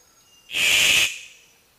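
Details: A male Victoria's riflebird, a bird-of-paradise, in Queensland, Australia, gives a single harsh, hissing rasp during its dancing display. The rasp is high and breathy, about half a second long, against a quiet background.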